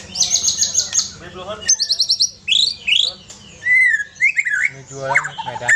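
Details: White-rumped shama of the Aceh type, singing a fast, varied song of high rapid trill bursts, swooping whistled notes and sliding phrases, over a steady low hum.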